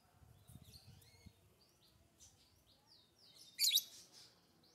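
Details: Lovebird uttering thin, high, twittering chirps and short sliding squeaks, then one loud, rasping screech, with soft low thumps early on.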